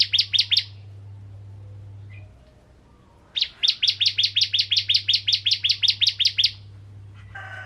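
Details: Bar-winged prinia, kristal variety, in full song as a lure for other prinias: a short run of four bright notes, a quiet gap, then a long, rapid, even string of about seventeen high chips.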